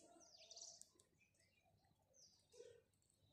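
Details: Morning chirping of house sparrows, a quick burst of sharp high chirps opening the clip, then a pause before another run of chirps and a short lower note at the end.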